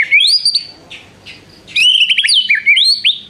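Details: White-rumped shama delivering varied whistled song with prenjak mimicry: looping rising whistles, a pause, then a jumble of quick swooping, slurred notes.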